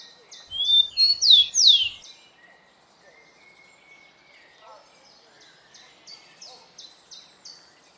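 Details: Rufous-collared sparrow (tico-tico), a Brazilian bird recorded in nature, gives a loud phrase of clear, high, slurred whistles in the first two seconds, followed by a faint series of short repeated high notes against quiet background noise.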